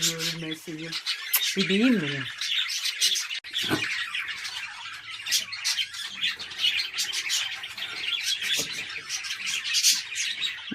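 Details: Budgerigars kept and bred at home as a hobby, a dense flock chattering continuously with high, rapid warbles and chirps, after a short stretch of a person talking at the start.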